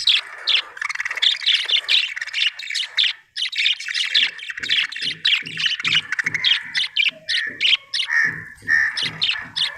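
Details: Happy budgerigar chirping loudly in an almost unbroken run of rapid, scratchy chattering warbles and squeaks, with soft regular taps in the background.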